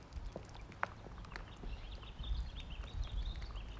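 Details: Ducklings being given more food, keeping up a near-continuous wavering high peeping trill through the second half, with footsteps and low thumps underneath.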